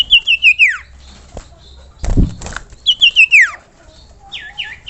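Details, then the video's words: Common iora lure call meant to make other ioras answer and sing: two bursts of quick beaded trills that fall steeply at the end, about three seconds apart, then short rising whistles. A brief rustle sits between the phrases. "pancingan burung cipoh memanggil cipoh lain agar ikut bunyi dan gacor"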